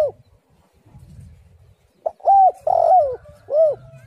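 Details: Female spotted dove call played as a lure; after quiet low rumbling, one phrase of three coos: a short note, an arched coo, a longer warbling descending coo, then a final rounded coo.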